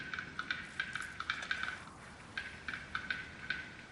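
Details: Male Black-billed Capercaillie in April in the Greater Khingan Mountains singing to attract a mate while competing with a rival on a nearby treetop: a run of dry, woody clicks and taps in uneven bursts, with a brief soft pause midway.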